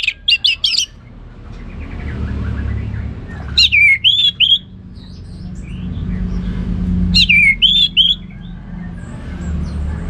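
Orange-headed thrush giving loud, rich whistled phrases with sweeping, slurred notes, repeated in short bursts every few seconds over a low background rumble.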